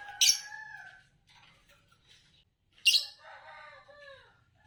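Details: Green Fischer's lovebird of Indonesian competition lineage calling with two sharp shrill chirps, each followed by softer warbling tones.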